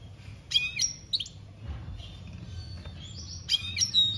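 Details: European goldfinch singing in 2021: high, thin twittering bursts with bright whistled notes, separated by pauses, over a steady low background hum.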